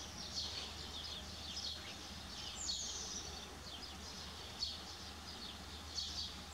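Spotted Flycatcher giving thin, very high, scratchy notes at irregular intervals, with one drawn-out falling whistle, over steady hissing background noise.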